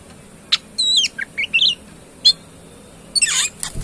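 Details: Kacer, Oriental magpie-robin, in gacor song: clear sliding whistled notes that dip and rise, a sharp chip, then a harsh buzzy burst at the end, with a quiet background.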